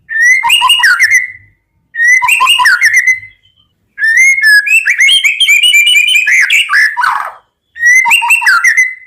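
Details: White-rumped shama song used as a training recording: loud repeated phrases of rich whistles with rapid twittering, each phrase ending on a sustained falling whistle, separated by short pauses, with a longer varied run in the middle.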